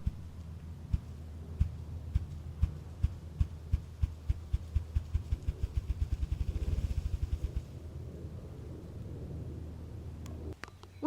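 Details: A male Ruffed Grouse drums in spring woodland by beating its wings in courtship, to attract a mate and mark territory. Deep, muffled thumps start slow and speed into a rapid whirring roll, like a car stalling, over a low rumble.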